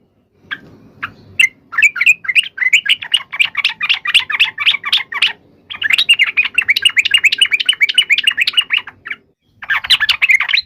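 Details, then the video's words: Yellow-vented bulbul in a fighting song used to make rival bulbuls respond. Scattered chirps build into long, fast, chattering runs of rattling notes, broken by one brief pause and a final short burst. "trucukan gacor SUARA TARUNG INI menjadikan burung trucuk gacor NYAUT SEKETIKA"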